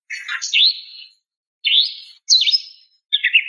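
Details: Female greater green leafbird calling to a male, used as therapy for a stressed caged bird: four bursts of rich, high chirping notes with warbled, rising and falling slurs, separated by short silences, no other sounds.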